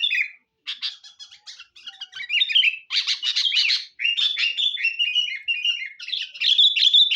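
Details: Lively lure song of a Sooty-headed bulbul: rapid buzzy chatters give way to clearer, warbled and slurred phrases, sung almost without pause.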